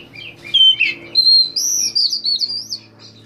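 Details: Singing Oriental magpie-robin, May 2015: a short burst of bright, varied whistles, a few scratchy notes and then a high wavering phrase of sliding tones, with a low background hum.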